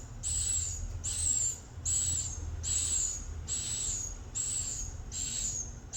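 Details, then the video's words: A swiftlet repeats loud, hissing high chirps with a slightly falling whistled tone, about seven in six seconds, over a low hum. "burung walet"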